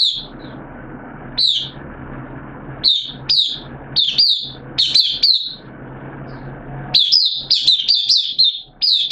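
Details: A kept Oriental white-eye, whose form has dipped a little, gives high, thin chirps in scattered bursts with several notes sliding downward, quickening into a rapid twittering run near the end over a faint low hum.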